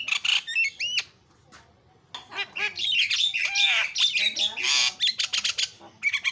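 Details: Javan myna singing a very noisy, varied song: harsh squawks and buzzy bursts mixed with short rising whistles, sharp chips and a fast clicking run near the end.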